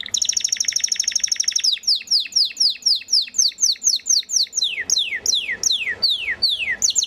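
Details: Belgian Waterslager canary: a fast pulsing trill for a second and a half, then a long series of clear downward-slurred whistles repeated about twice per second, gradually dropping lower.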